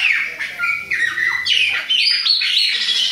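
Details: Chopi blackbird of the Bahia type, an adult and a young bird, singing fluid whistled notes that slide downward and upward between mid and high pitch, with rapid bright phrases running almost without pause over a faint low hum.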